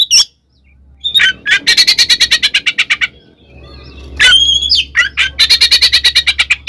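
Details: Fighting song of an oriental magpie-robin, ngeplong ngekek style, played to agitate rival magpie-robins: fast buzzy rattling chatter at about three notes a second, broken by a pause and a clear whistled phrase, then more rapid chattering over a low hum.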